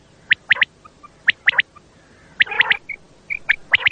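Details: Common quail heard at night in a hunting lure recording: quick, sharp clusters of three short notes, each group about a second apart, with a few softer chirps between them.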